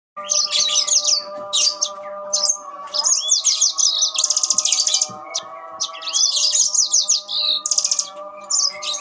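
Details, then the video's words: Yellow-fronted canaries answering each other: bursts of rapid high trills and buzzy chattering phrases alternating with short pauses, over a steady mechanical hum. "burung mozambil saut sautan"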